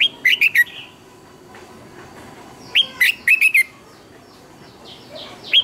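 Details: Red-whiskered bulbul in fired-up morning song, used as a lure for training birds: three short bursts of quick, liquid, swooping whistles, each three to five notes, separated by brief pauses.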